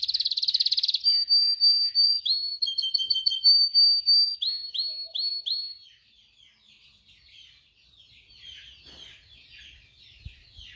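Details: Canary singing for training: a fast buzzing trill, then clear flat whistles and short falling notes in quick series, fading into soft distant twittering with a few faint knocks.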